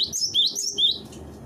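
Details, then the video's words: Cinereous tit song used as a training master: a run of rising high whistled slurs in quick succession, over faint low background noise. "suara masteran burung gelatik batu"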